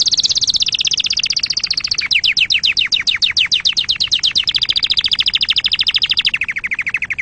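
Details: Canary singing used to teach chicks and encourage mating: continuous fast trills, first a smooth high roll, then a long run of steep descending strokes, then a high rattle that drops to a lower buzz.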